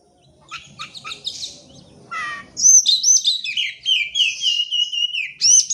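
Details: Oriental magpie-robin song used to coax birds that will not sing: a few soft clicks and a buzzy note, then a long, loud run of varied whistles ending on falling slurs.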